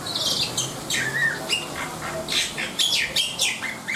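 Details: Black-winged myna producing loud squawky notes mixed with a slurred whistle and harsh rasping calls in an uneven sequence, with a low background hum.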